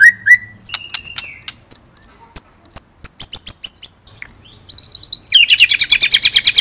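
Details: Murai batu (white-rumped shama) 'ngerol nembak' tutor song from Indonesia: separate clear whistles at rising pitches, a string of sharp clicking notes, then a rapid, loud, high rattling trill.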